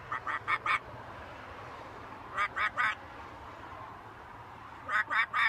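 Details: Macaw parrot talking, giving short harsh quack-like bursts in quick runs of three and four, with pauses of about two seconds between runs and a low steady hum beneath.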